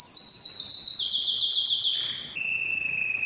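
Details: A canary sings to excite mates, training-style song. Very rapid bright trills at high pitch step down twice in about two seconds. After a brief pause, a clear sustained whistled note follows with faint ringing overtones.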